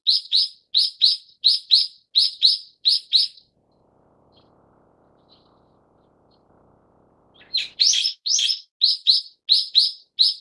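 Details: Brown-eared bulbul of the subspecies harterti giving loud, harsh, squeaky paired call notes repeated in quick series, about eight in three seconds, then a pause with faint low rumble before the series resumes.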